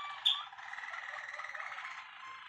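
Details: Malinois Waterslager canary, a bird that won first prize individually at a contest, delivering a steady, watery bubbling roll after a brief sharp high note.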